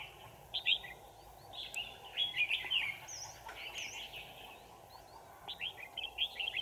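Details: Red-whiskered bulbul used as a decoy bird, singing during trapping on 25 November 2018; short bubbly warbled phrases in bursts, with a quieter pause between groups and a steady low background hiss.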